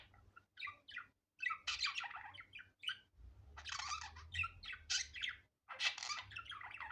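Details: Pet budgerigar in a natural, unedited recording: bursts of harsh, buzzy chattering and squawky chirps, broken by short silences near 0.5, 1.2 and 5.5 seconds, over a faint low hum.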